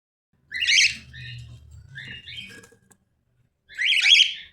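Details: Cockatiel giving a harsh, raspy squawk, then softer, lower chattering notes, and a second loud grating squawk after a pause.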